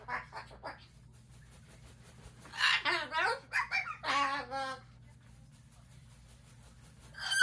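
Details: Pet umbrella cockatoo indoors: soft speech-like murmurs give way to a run of loud, harsh, wavering squawks over about two seconds, then quiet before a sharp sound at the very end.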